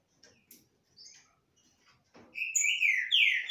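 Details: Green-winged saltators singing face to face without fighting: faint scattered chirps, then a loud phrase of rich, slurred whistled notes sliding downward, bright and overlapping near the end.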